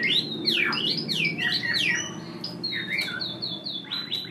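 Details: Wild-caught hwamei kept in a cage for one week, singing a run of loud, varied whistled phrases that swoop up and down, followed by repeated level whistles over a low background hum.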